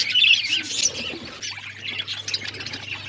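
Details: Pet budgerigars chirping: a loud burst of squawky, warbling chatter at the start, easing into softer overlapping chirps, over a faint low hum.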